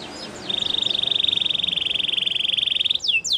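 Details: Belgian canary holding a long, even, rapid trill on one pitch for about two and a half seconds, preceded by a few soft falling notes and ending with sharp downward sweeps, over a hiss of background noise.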